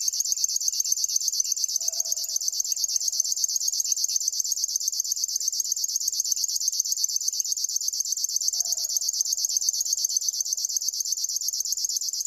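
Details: Sustained insect-like reeling from a River warbler: rapid, regular, high buzzy pulses without pause for twelve seconds, with two short faint low notes in the background.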